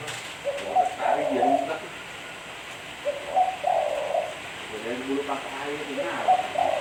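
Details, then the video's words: Spotted dove cooing in low, soft, hooting phrases, each a few mellow coos ending in a drawn-out note, repeated roughly every two and a half seconds over a steady background hiss. "Suara Burung Tekukur Bersih-Suara Burung Tekukur Buat Pancingan"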